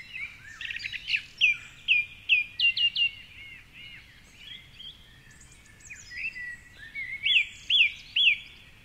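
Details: Song thrush, a male, singing at 4.45am in the dawn chorus beside the Curragheen River in Cork City; bright notes repeated in series of three and four, with busy chirping of other birds behind.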